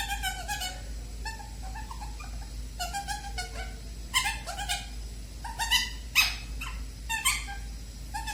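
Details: Pet bird in its cage near its 8 pm sleep time, making newly learned sounds: nasal, harmonic squawks and short chattering notes in irregular bursts, some sharper and louder, in a quiet indoor room with a low hum.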